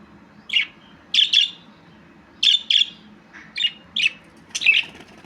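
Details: Budgerigar giving short, bright chirps, mostly in pairs, spaced about a second apart across five seconds, with a faint low hum underneath.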